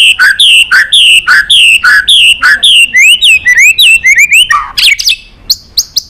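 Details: White-rumped shama song for stimulating and training other shamas to sing: a steady series of about a dozen repeated down-slurred whistled notes, then quick rising whistles and sharp high clicks.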